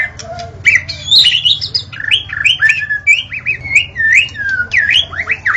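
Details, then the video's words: Murai batu, or white-rumped shama, singing in the forest: a continuous stream of fluting, rising and falling whistles and quick chirps, rich and melodious, over a faint low hum. "Murai Batu Auto Gacor: Simak Suara Asli di Hutan yang Memikat"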